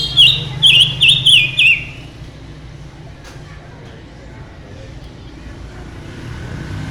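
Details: Silver-eared mesia with a mutation, singing vigorously: four loud, looping whistled notes in rapid sequence, then a long stretch of quiet background hiss and low hum.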